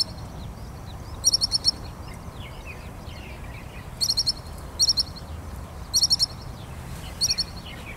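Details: Pied kingfisher from Kinmen, where it lives year-round, giving clear, thin, high-pitched notes in crisp bursts of about four rapid chirps, repeated five times with pauses of about a second or more; quiet background otherwise.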